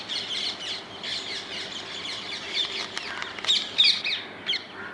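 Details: Rose-ringed parakeets living wild in the Netherlands give repeated harsh, squawking calls mixed with a few thin whistled notes. Several sharper, louder screeches stand out in the second half.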